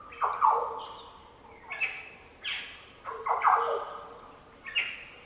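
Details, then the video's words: Green orioles calling in the Daintree rainforest of tropical northern Australia: deep, liquid, fluty song phrases around one kilohertz, given in bursts about every one and a half seconds over a steady insect hum. "Green Oriole Sounds - The deep, liquid calls & song of Green Orioles in the Daintree rainforest."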